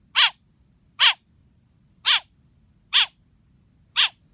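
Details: Five strident, harsh chirps from a baby blackbird, spaced close to a second apart, with faint low background noise.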